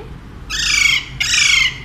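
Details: Pet male Alexandrine parakeet kept with its human family, giving two loud, harsh, raspy squawks of about half a second each, broad and noisy, separated by a short pause, over a quiet background.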